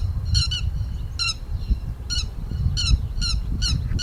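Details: Trapping lure of grey-headed lapwing: loud, strident double notes, each a clipped squawk, recurring roughly every second above a low, noisy rumble.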